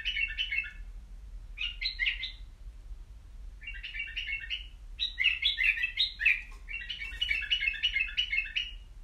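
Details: Caged white-eared bulbul singing: five bursts of quick, bubbly warbled phrases, each about a second long, separated by short pauses, with a faint low hum underneath.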